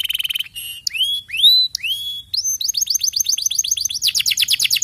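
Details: Canary song mixing varied phrases: a quick trill, several slurred rising whistles, then a run of rapid repeated chirps accelerating into a dense, louder series at the end.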